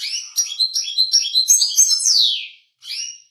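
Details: European goldfinch singing a fast, bright twittering song of rapid chirps and trills, ending in a long buzzy downslurred note, then a short pause and another brief twitter.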